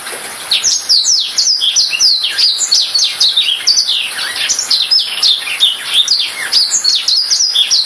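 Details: Black-throated canary singing a fast, continuous twittering song of high, sharply falling and rising notes, sweeping slurs packed closely together without pause for nearly eight seconds.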